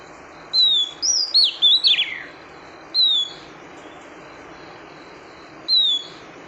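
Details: Female oriental magpie-robin calling to stimulate the male: thin, high whistled notes sliding downward, a quick run of twisting chirps, then single whistles spaced a few seconds apart over steady background hiss.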